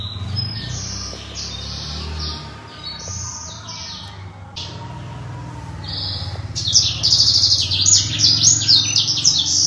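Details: Black-throated canary, a kept songbird in full song, giving short bright whistled phrases at intervals, then from about six seconds a fast continuous run of high chirping trills; low rumbling background hum throughout.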